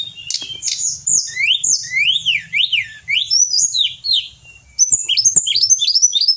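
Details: Pied bushchat in captivity, used as a master song for training songbirds, pouring out rapid high whistled notes in looping up-and-down slurs, with a short pause before a fresh burst of chirping phrases.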